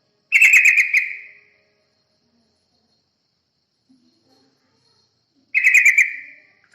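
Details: Yellow-vented bulbul singing as a lure for other birds: two short bubbly, warbled phrases about five seconds apart, each roughly a second long with rapid pulsed notes fading out, quiet between.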